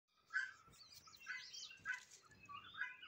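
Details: A wild Egyptian goose flying over a rooftop gives four harsh, raspy honks spaced about a second apart, the last trailing off, with faint low background noise.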